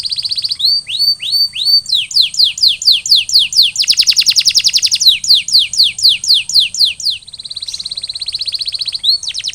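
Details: Canary in post-molt recovery singing rising whistles, then long chains of rapid downward-slurred notes broken by a dense buzzy roll, followed by more slurred notes and a soft rolling trill.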